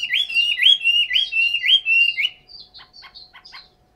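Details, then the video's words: In Hanoi, Vietnam, a caged Chinese hwamei repeats one bright slurred whistle phrase five times in quick succession, then drops to soft, short clicking notes. "chim họa mi"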